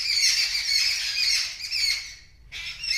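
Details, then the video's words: Birds reacting loudly to a kitten that sees them: a continuous, shrill, grating screech holds for over two seconds, breaks off into a short silence, then starts again. "The Birds Are Screaming Loudly"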